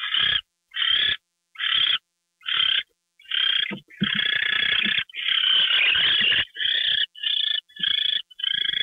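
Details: Owl at night on February 2, 2013, 10:43 PM, during a gopher delivery: harsh, hissing screeches repeat at an irregular pace, some long drawn-out bursts run together in the middle.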